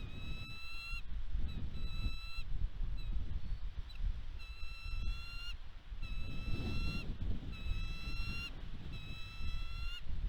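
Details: Bald eagles calling at their Catalina Island nest in California, USA, on 29 March 2022 as a bird and fish are delivered. Series of clear, piercing tonal notes, each slightly rising, repeat roughly every second against strong low wind noise.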